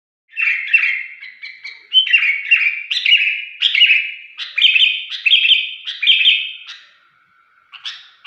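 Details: Sooty-headed bulbul singing in an unusual shrill voice: bright, high chirped notes in short clusters, repeated steadily for about six seconds, then a quiet gap and one final note.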